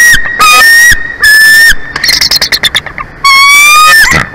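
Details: Bald eagles at a Big Bear Valley nest, nature cam recording from 02/23/2024, 11:04; long piercing whistled notes, a brief drop in pitch, then a quick stuttering chatter of short notes before another sustained high whistle.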